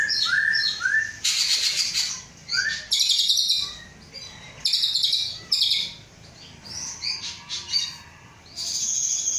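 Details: Caged white-rumped shama from Aceh, bred from a female of Terangun, Gayo Lues, sings looping whistles, then loud bursts of harsh high chatter alternating with pauses and softer notes.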